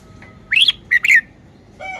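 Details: Caged red-whiskered bulbul showing its song style with a quick rising whistle followed by two clear slurred notes, then a faint trailing chirp.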